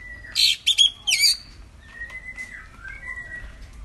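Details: Lesser Green Leafbird lure song to coax a silent bird into singing: three quick bursts of harsh, buzzy chatter, then clear level and falling whistled notes at a moderate pitch.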